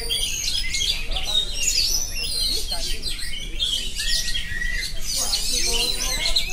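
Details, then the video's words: Oriental magpie-robin pouring out a rolling "ngerol" song: bright, high, varied whistles and twittering trills delivered without break, with a low rumbling background noise throughout. "kacer phonix ngerol abis"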